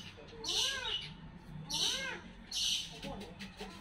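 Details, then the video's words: Brahminy kite giving three hoarse, arching, mewing calls, each about half a second long and spaced roughly a second apart, with a fainter fourth call at the end, over a low background hum. "Suara Elang Bondol"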